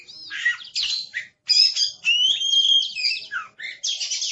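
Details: Aggressive caged Oriental magpie-robin singing loud mixed phrases: scratchy bursts, clear sustained whistled notes, a drooping slur, then a dense harsh buzzing close.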